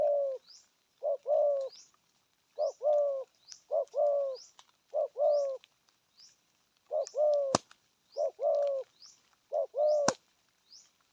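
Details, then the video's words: Spotted dove delivering a regional-style 'gù thúc' coo, low mellow notes in repeated pairs and triplets over eleven seconds, with high thin chirps of other birds and two sharp clicks. "Thổ âm cực phê! thuc gù thúc kèm bài bản"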